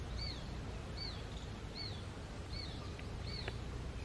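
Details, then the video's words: Hungry young shikra calling to its parents and demanding food: thin, high whistled notes, each arching up then down, repeated about every three-quarters of a second over a steady low rumbling background noise. "Whistling calls of Baby Hawk"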